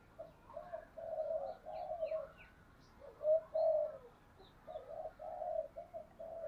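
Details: Spotted dove cooing in the open as wild doves are provoked by a decoy bird; low hollow coos in repeated phrases over background noise, with faint higher chirps of other birds.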